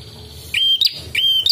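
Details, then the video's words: Prinia, likely a red-headed prenjak, giving two quick, thin whistled notes, each a level high note ending in a sharp upward flick, about 0.6 seconds apart; used as a lure and tutor call. "MASTERAN DAN PIKAT BURUNG PRENJAK"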